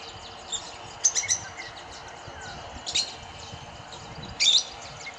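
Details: Rosy-faced lovebirds, a gregarious flock suspected to be aviary escapees, feeding in trees at Kyalami, Midrand, Johannesburg, give a few shrill, high chirps a second or two apart over steady hiss.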